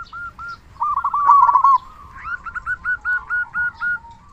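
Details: Loud-voiced local zebra dove, a persistent Indonesian singer whose song serves to prompt silent doves to sing. A soft opening coo, then a bubbling rolled phrase, then a steady run of evenly spaced short coo notes.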